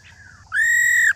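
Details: 'Rò' call of an old wild-caught female white-browed laughingthrush, played to prompt males to sing. A faint falling whistle leads into one long, loud, steady whistled note rich in overtones, with the start of another note at the end.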